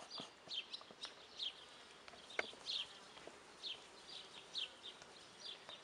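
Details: Guineafowl uttering spaced, harsh, squeaky notes about every second, with light clicking in the background.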